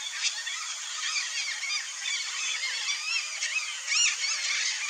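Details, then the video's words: Chorus of red-bellied macaws, with many overlapping harsh harmonic squawks and chattering notes. One sharper, louder call rises near the end above the continuous flock noise. "RED-BELLIED MACAW sounds"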